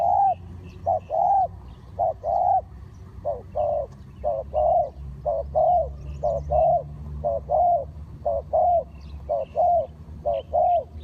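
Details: A spotted dove serving as trapping decoy calls steadily, its paired short-then-long coos repeating around fourteen times in quick, even succession over soft ambient hum.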